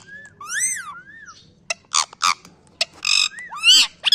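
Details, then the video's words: Talking pet parrot imitating a dog, giving a rising-and-falling whistled squawk, then a string of short, rough barking bursts ending in a bent screech. "MY PARROT TALKING LIKE A DOG"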